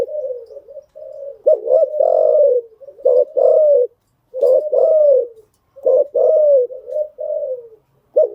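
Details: Spotted dove used as a lure bird to train newly caught birds, giving mellow low cooing phrases: clipped notes followed by long slightly falling coos, repeated in runs with short pauses.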